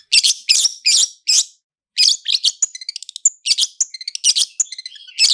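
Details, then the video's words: Long-tailed shrike, cendet, in a clear full-fill-in lure song: four loud rasping bursts, a short gap, then rapid ticking rolls interleaved with harsh notes and brief high whistles. "SUARA CENDET ROLL SPEED DAN ROLL TEMBAK, PANCINGAN CENDET FULL ISIAN JERNIH"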